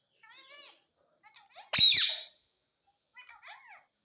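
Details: Talking parrot kept as a pet, said to say "mummy" and "papa": soft harmonic murmuring notes around one loud harsh squawk, then quiet chattering syllables, indoors.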